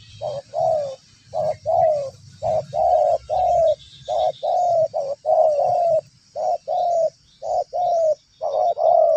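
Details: Spotted dove lured in two yards, calling without pause: dense series of low husky coos, short notes and longer falling ones in quick succession, with faint low rumble.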